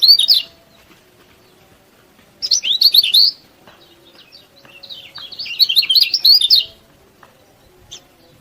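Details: Yellow-bellied prinia in vigorous song, used as a master recording to provoke rival birds: three high chattering bursts of quick jumbled chirps separated by pauses of about two seconds.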